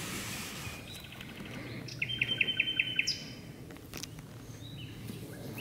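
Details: Common nightingale deep in birch bushes at dusk, two birds singing. After quiet background, a crisp series of about six evenly spaced, loud repeated notes rings out, followed by fainter notes.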